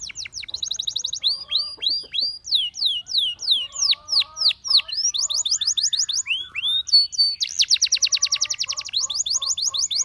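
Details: A canary's song calling other canaries to sing, mixing fast trilled bursts, a long series of drooping whistles repeated about three times a second, and a loud rapid rolling trill near the end.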